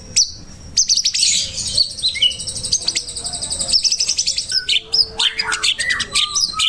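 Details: White-rumped shama singing, a master recording meant to teach other birds: fast rattling trills and buzzy repeated notes, then loud varied whistled phrases with quick upward and downward sweeps.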